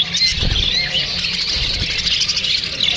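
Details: A brief burst of Australian parrot flock noise, with high chirps and short squeaky squawks overlapping densely from several birds.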